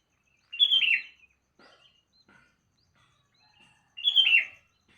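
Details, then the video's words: Sooty-headed bulbul singing in the morning: two loud, bubbly whistled phrases about three seconds apart, each a quick tumbling burst, with faint soft chirps between and a quiet background. "Kicauan Burung kutilang Di Pagi Hari"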